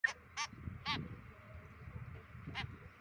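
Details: White-breasted woodswallow, a kept bird on day 25 of free-flight training, gives four harsh, nasal, buzzy calls: three within the first second, then one more near the end, over a low background rumble.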